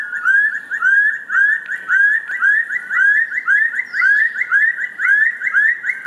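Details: Rufous-throated partridge calling, a series ending in crescendo notes: clear rising whistled notes repeated rapidly, about three per second, in a steady, even rhythm, with faint higher birdsong in the background.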